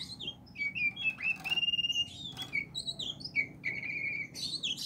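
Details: Oriental magpie-robin, Aceh variety, singing clear sustained whistles and twisting slurred notes broken by short buzzy bursts, with longer held tones between quick phrases.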